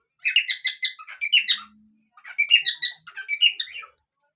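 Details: Pet parrots singing a duet indoors, livelier as sunny days increase: two bursts of bright, chattering warbles and chirps, each about a second and a half long, separated by a short pause.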